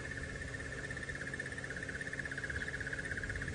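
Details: A Crested Barbet calling a little way off in Sabi Sand, South Africa, during an April sunrise drive gives a long, unbroken rapid trill on one steady mid-high pitch, like a ringing alarm clock, over a low vehicle rumble.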